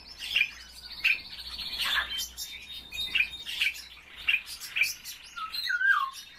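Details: Kept common starling singing indoors as it warms itself: regular sharp clicks roughly every half second over a thin whistled tone, ending in a wavering, descending whistle.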